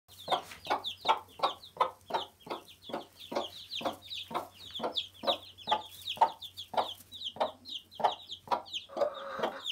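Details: Day-old chickens peeping as a group: many high, short, downward-slurred peeps overlapping throughout, with a steady train of broad, muffled pulses about twice per second underneath and a faint low hum.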